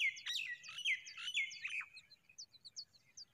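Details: Familiar chat, a mother bird fixing her nest: loud, quick downslurred chirps and short sweet notes repeated about once a second, with faint higher ticks trailing off.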